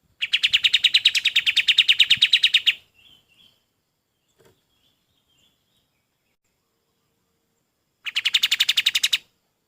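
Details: Golden-bellied gerygone tutor song for teaching other birds: a long rapid string of high piercing notes runs for over two seconds, then a few faint soft chirps, then a shorter fast trill.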